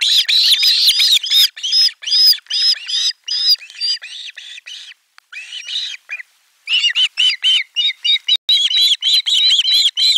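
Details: Osprey chicks at nest #4 on 18 July 2022 loudly welcome a fish delivery in a screaming chorus of rapid, high, shrill squealing notes repeated over and over, broken by a brief pause.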